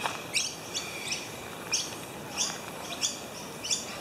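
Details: Noisy miner attentively ushering a slender whip snake across a footpath, giving sharp, high, harsh and insistent chirping notes about every half second to second, over a faint steady high hum.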